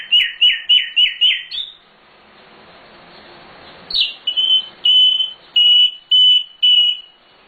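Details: Nightingale, called sikatan londo, singing with full fill-in phrases for bird training: five quick rhythmic chirps at an even pace, a pause, then five clear steady piping whistles spaced about half a second apart.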